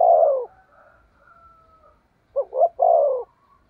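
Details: Spotted dove kept as a decoy for luring wild birds, cooing thúc gù style: a long falling coo, a pause with faint murmuring, then a quick double note and another drawn-out falling coo.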